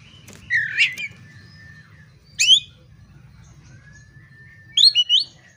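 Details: Oriental magpie-robin song to draw a kacer into a fight: a scratchy burst, a long level whistle, then sharp high doubled notes, spaced about two seconds apart over a soft hum.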